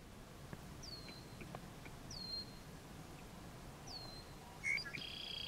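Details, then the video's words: Short-billed Dowitcher north of Nokomis, Saskatchewan, 25 June 2019 around 10:50 a.m.: three thin, high, downslurred notes about one and a half seconds apart, then a brief harsher chirp, over low rumbling background noise. "Short-billed Dowitchers"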